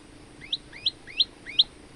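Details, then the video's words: A male olive-backed tailorbird used as a tutor for other birds gives four quick, sharp upslurred chirps in two seconds, high-pitched and clean against low background noise. "burung prenjak lumut gacor untuk masteran"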